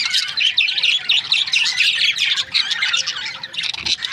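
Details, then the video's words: Budgerigars, Australian parrots kept as breeding pairs, chattering together in a dense, continuous stream of high, scratchy chirps and squawks, overlapping with no clear pauses, varying rapidly in loudness. "Budgies parrot chirping sound"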